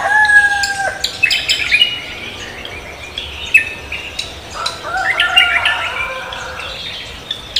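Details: Cucak kombo singing energetically at dawn: a long level tone opens, followed by rapid jumbled high chirps and whistles, then a second lower steady note beneath fresh chattering.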